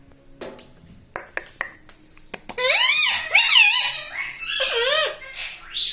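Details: Pet parrot that talks, saying mithu, mummy, papa and radhe radhe. Scattered clicks lead into a burst of rich, harmonic, wavering squawky syllables that rise and fall like mimicked speech, with a short break mid-phrase.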